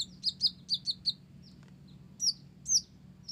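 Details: Olive-backed sunbird of the Blorok type in full, lively song, its repertoire filled with Java sparrow phrases: a quick run of five sharp high chirps, a pause, then two higher slurred notes, over a faint low hum.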